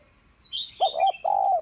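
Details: Spotted dove (Spilopelia chinensis), coo: female calling to stimulate males.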